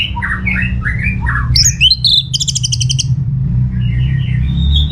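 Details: Orange-headed thrush in lively song used to make other birds reply: wavering mid-pitched warbled notes, then a high rattling trill of rapid repeated ticks, ending in soft twittering, with low humming noise beneath.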